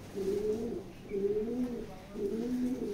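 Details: Racing pigeons offered for sale, cooing indoors: three low, rolling coos about a second apart, each a throaty rising-then-falling warble, over faint room hum.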